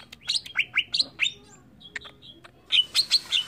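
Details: Greater green leafbird singing in an agitated state: quick bright chirps and sliding whistled notes in two bursts, separated by a short pause with a few scattered faint notes.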